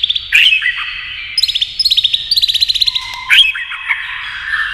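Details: White-rumped shama challenged by a TV, singing in many voices with fast buzzy rattling trills between sharp high whistled notes.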